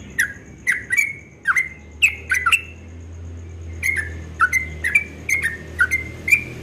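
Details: Yellow-vented bulbul singing the fast 'ropel' song at dawn, said to sound very sweet: bright, bubbly slurred notes in short clusters, a brief lull midway, then a steady string of rising and falling phrases, soft low hum behind.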